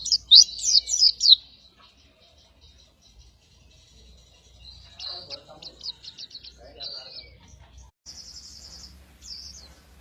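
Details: Dakun-type oriental white-eye, a master song for training competition birds. It starts with a loud, fast high twitter, then fainter scattered chips and short buzzy trills over a steady low background hum.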